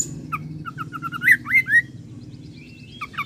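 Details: Oriental magpie-robin song with cililin and serindit mimicry, heard as soft short chirps building to a few louder rising whistled slurs, then quieter notes, with a low rumbling background.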